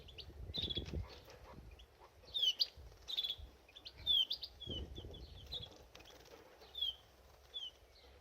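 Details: Bathing canary in a birdbath gives a loose series of short, high, slurred chirps, some quickly doubled, scattered over several seconds amid bursts of splashing water.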